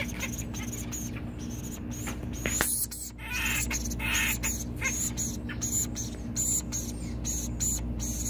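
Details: Acorn woodpeckers in rehabilitation at a bird rescue center in Santa Rosa, California, give quick, squeaky, high-pitched chattering notes in short bursts about once a second, over a steady indoor hum and occasional clicks.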